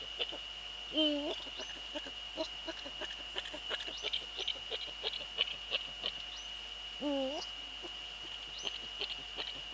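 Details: Male Eurasian eagle-owl in the Netherlands, 6 February 2013 at 17:30: two deep, slightly wavering hoots about six seconds apart, with scattered clicks and ticks between them and a steady high whine throughout.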